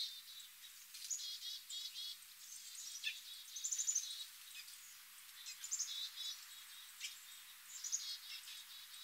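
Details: American robin nestlings in the nest, sometime between hatching and fledging: thin, high chirps and peeps in irregular bursts, several with layered, slightly buzzy tones, over a faint steady hiss.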